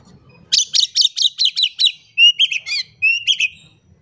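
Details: Oriental magpie-robin (kacer) in gacor song to prompt quiet birds to sing: seven sharp, rising whistled notes in quick succession, then shorter buzzy twitters and clear slurred whistles.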